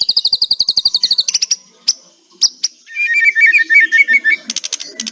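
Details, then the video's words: White-rumped shama kretekan: a fast high rattling trill, a few isolated sharp notes, then a lower, quicker chattering series and more high chips. "100 % KRETEKAN MEMBUAT MURAIBATU GACOR LOSSS...... COBA SOLUSI BURUNG MURAI MACET BUNYI"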